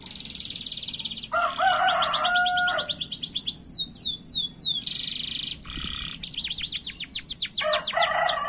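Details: Canary singing fast, short phrases to lure other canaries into song: buzzy high trills, low whistled tones, cascades of downslurred chirps and abrupt changes between tours.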